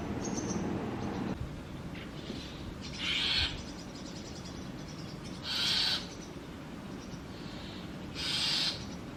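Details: Young brahminy starlings in an adopted sparrow nest box, fed insects often by a parent pair, give three loud rasping hisses spaced roughly every two and a half seconds, with softer noise between.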